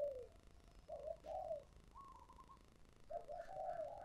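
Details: Spotted dove singing in the thổ sấm voice style gives soft, low hollow coos in short broken phrases, faint against a hissy background.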